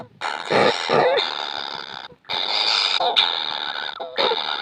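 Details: Baby kingfishers begging for food, described as never full: harsh, rasping, buzzy calls in two long continuous bursts, each nearly two seconds, separated by a brief pause.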